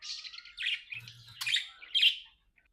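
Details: Pet budgerigars, companions talking and playing together, give a busy warbling chatter of chirps and buzzy notes, with louder bursts near one and a half and two seconds, indoors.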